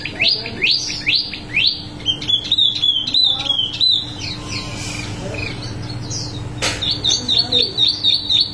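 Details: Wambi mini singing continuously: dense volleys of sharp, descending high whistles and chirps, briefly broken by a click, then resuming with rapid repeated high notes; low hum present throughout.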